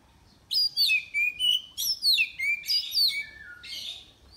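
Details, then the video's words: Oriental magpie-robin entered in an online bird contest, from Miri, Sarawak: a loud, rhythmic string of about eight bright, downslurred whistled notes, ending in a lower falling phrase, recorded close and clean. "Lomba Burung Online Kacer"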